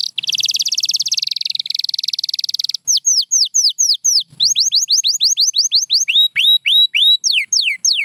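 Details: White canary song opening with a long, fast buzzy trill, then a run of clear descending whistled notes given in quick succession, some dipping lower toward the end.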